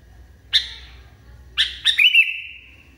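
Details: A raging kutilang (sooty-headed bulbul) gives a single harsh note, then two more in quick succession, ending in a drawn-out, slightly falling whistled tone.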